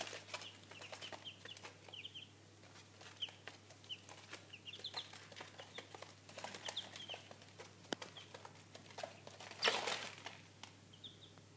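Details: Three-day-old Cochin chicks, a Chinese breed, indoors: faint high peeping calls, some rising and some falling, scattered throughout, over soft rustling and clicking, with a steady low hum and a brief loud scuffle near the end.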